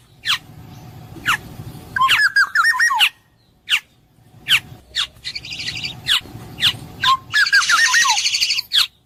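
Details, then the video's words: Black-naped oriole giving rich, fluid whistled phrases that twist up and down. Sparse sharp chips and buzzy rattling notes sound between them. "suara burung kepodang emas jernih"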